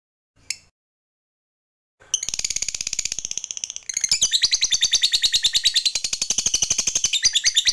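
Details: Ngekek panjang, the long chattering song of a fighter lovebird, used to stimulate other birds to sing; one faint click, two seconds of silence, then rapid buzzy chatter that becomes louder and fuller near the four-second mark.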